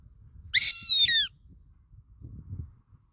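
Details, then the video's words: One high, ringing squeal from a goshawk: a strained whistle, level at first and then dropping at the close. Faint low rustling and handling noise come before and after. "Goshawk Singing{Tiếng chim ưng hót véo von}"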